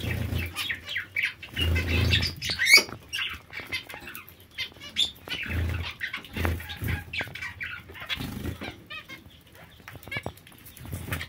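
Zebra finches give short, nasal, trumpet-like chirps in quick, irregular bursts, about two a second, with soft thumps of fluttering wings.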